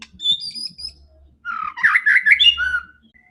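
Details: Fierce, fighting white-rumped shama singing to provoke rival birds: high thin whistles open, then a dense rush of mixed whistled and harsh notes, low hum in the background.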